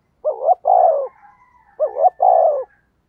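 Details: Spotted dove thúc gù cooing to lure wild doves: two loud phrases, each a quick, dipping double note followed by a drawn-out, slightly falling coo, with a faint thin note trailing between them.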